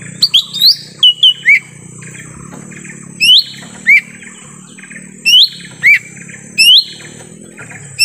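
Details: Forest lure recording of lesser green leafbird to attract wild birds: rapid series of rising whistles and lower slurred notes, in bursts every second or so, with low background hum and faint calls.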